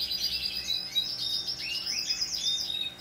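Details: Short bout of shrill twittering from a hand-tame Pacific parrotlet, 26 November 2021, thin high notes with a few downward-slurred squeaks toward the end.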